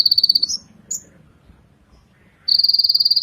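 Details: Ninja sunbird, a bird with black, purple and yellow plumage and a glossy throat, giving a high, rapid buzzy trill of evenly spaced pulses lasting half a second, then a few short chips and a pause, before the fast trill resumes.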